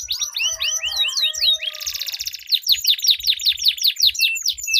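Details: Pair of canaries duelling with long rolled song meant to set other canaries singing: repeated hooked notes, a buzzing roll in the middle, then loud downslurred whistles repeated several times per second.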